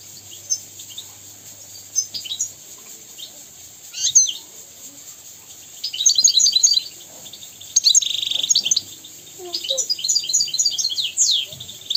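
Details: Goldfinch (European) singing a training song used to teach young goldfinches and canaries. Sparse high chirps at first build into longer runs of fast twittering notes, liquid trills and a few buzzy, descending calls.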